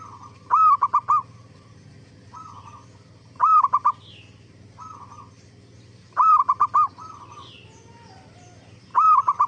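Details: Repeated zebra dove song meant to provoke answering zebra doves: four loud rolling coo phrases roughly every three seconds, each a rising note then quick pulses, with softer, more distant coos in the gaps.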